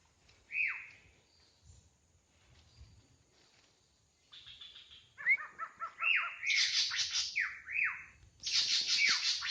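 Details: Wild drongo song mixing falling whistles, a quick stuttering series of short metallic notes, and loud bursts of harsh buzzy chatter.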